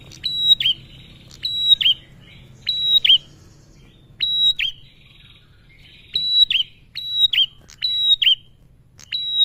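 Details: Repeated calls of a male bar-winged prinia meant to get other birds singing: strident high notes with abrupt clicky finishes in quick clusters, pausing briefly between groups, above a soft low rumble.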